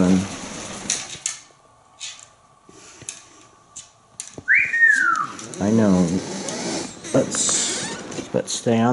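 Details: Talkative pet African Grey Parrot indoors in Texas, chatting with his owner about colours while on a tree perch; speech and a bright rising-then-falling whistle alternate with human talk and room noises.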